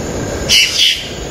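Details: Yellow-rumped cacique recorded on Ilha de Comandatuba, Bahia, Brazil, on 12 October 2013: one short, harsh, two-part burst of bright, noisy notes over a steady hiss of background noise.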